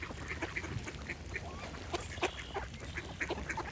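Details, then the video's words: Scattered raspy duck quacks stand out from a mix of short, clear chirps and notes from birds singing nearby, over a low constant rumble. "Cute Duck Quack Sound Effect with Birds Singing"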